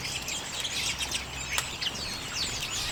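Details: Feeding on sunflower seeds in late January 2022, a group of common redpolls gives soft, high twittering and chirping notes throughout, with one sharp click partway through.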